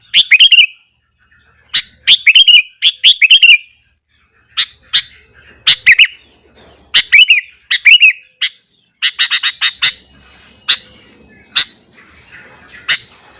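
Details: Sooty-headed bulbul singing tirelessly in the morning to provoke other bulbuls: repeated phrases of loud chirps and bubbly, hooked warbles, then a run of rapid clipped notes and scattered sharp chips.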